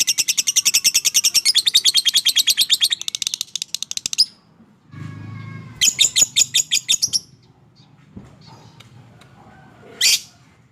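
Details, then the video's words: Fighter lovebird in long ngekek chatter, a rapid shrill rattle lasting about four seconds, then a short low rumbling noise, a second brief burst of chattering and a single sharp squawk near the end. "Suara Burung LOVEBIRD FIGHTER Ngekek Panjang, Terapy PERANGSANG Lovebird MALAS BUNYI"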